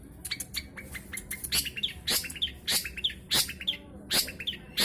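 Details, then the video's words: Freshly moulted long-tailed shrike, a dark-coloured caged bird in Jombang, East Java, Indonesia; loud harsh rasping notes mixed with short high chirps, in an irregular, rapid series. "CENDET BULU BARU HABIS MABUNG"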